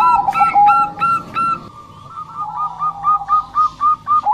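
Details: Bangkok-type zebra dove in energetic song, clear spaced cooing notes, a softer sustained stretch, then a renewed series of quick even notes.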